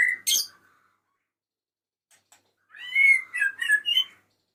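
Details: Male white-rumped shama calling a female: a short whistled phrase near the start, then after a pause a rich warbling run of slurred whistles and chirps rising and falling.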